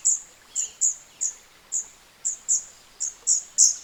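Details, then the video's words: Wild Scarlet-backed Flowerpecker (Dicaeum cruentatum) in Southeast Asian natural habitat, giving a soft song of high, thin ticking notes in a rapid, slightly uneven series, around eleven notes, with a faint lower chirp early on. "later in the video you can hear the song of this incredible species captured directly in its natural habitat"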